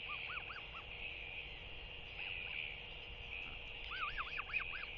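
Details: Early morning feeding at the nest in fog: a Northern royal albatross chick begs a visiting parent with short bursts of arched, rising-falling whistled notes, four at the start and about five more near the end, over constant wind hiss.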